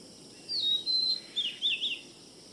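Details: Oriental magpie-robin from Kerala giving a short burst of clear, high whistled notes, a long sliding note followed by quick up-and-down warbles, over faint background hiss.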